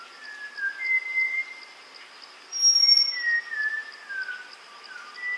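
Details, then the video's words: Malabar whistling thrush at a water hole in Tamhini forest, Western Ghats, India, during hot May summer, several birds visiting to cool off; slow, meandering, human-like slurred whistles, rising and falling, spaced about a second apart over a steady pulsing insect drone. "Malabar whistling thrush | Calls"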